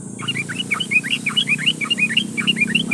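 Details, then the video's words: Yellow-vented bulbul calling a rival, used as a lure to prompt other bulbuls to sing: a continuous stream of quick, bubbly, rising and falling whistled notes over a low background hum. "SUARA trucukan gacor memanggil lawan Pancingan trucukan agar bunyi"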